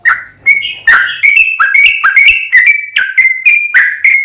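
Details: Yellow-vented bulbul in lively full rapid-fire song, used as a tutor to provoke other birds into singing. It gives clear whistled and bubbly notes in a quick run of about two per second, with sharp chirps and some shifts in pitch.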